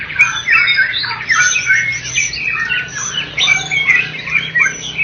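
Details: First-place contest-winning white-rumped shama (murai batu), Medan and Java type, delivering dense, fast, squeaky twittering and short slurred whistles that overlap in a busy, continuous flow, with a faint low hum beneath.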